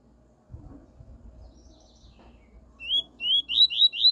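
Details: Double-collared seedeater giving its 'tui tui' song for a young bird to learn: after a few faint notes, a loud series of five ringing, rising whistled syllables comes in steady quick succession toward the end.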